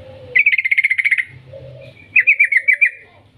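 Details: Energetic long-trilling song of a yellow-vented bulbul, used as a lure to provoke bulbuls to sing: a quick run of a dozen bubbly notes, a soft low phrase, then a shorter rapid burst.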